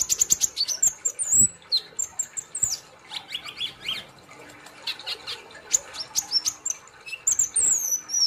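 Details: High, energetic gacor nembak song of an Olive-backed sunbird, mixing shrill descending squeaks, rapid sharp ticks and piercing thin whistles, delivered in dense bursts with brief gaps.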